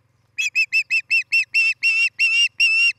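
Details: Osprey pair at their nest in Charlo, Montana, near a Great Horned Owl family's treetop homes, filmed by a nest cam on the morning of 11 July 2018: a quick run of about ten clear, whistled chirps that grow longer and louder toward the end.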